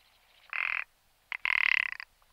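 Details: Rock ptarmigan giving two dry, rasping croaks, a short one and then a longer, throaty rattle about a second later, on a quiet background.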